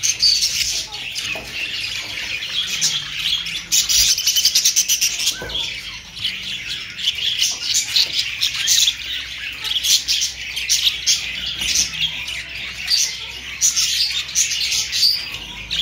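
A flock of budgerigars chatters constantly with high, scratchy warbles and sharp squawks.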